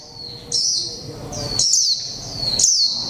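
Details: Japanese white-eye ('mộc tinh' type) caged for one month, in 'líu pha chòe trống' song: three bright, very high twittering phrases, each opening with a quick downward sweep and trailing into a sustained thin warble.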